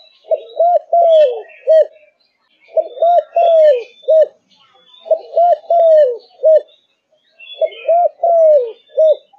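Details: A Malaysian spotted dove, said to sing from morning to night, repeats a rhythmic coo phrase four times: a short note, a quick double coo, a long falling coo and a clipped final note. Soft chirps from small birds run behind.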